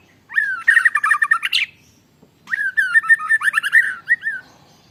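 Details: White-rumped shama singing canary-style fill in long rolling phrases, captured on a phone camera: two bursts of fast, buzzy, rattling trills, each opening with a downslurred whistle and separated by a brief pause.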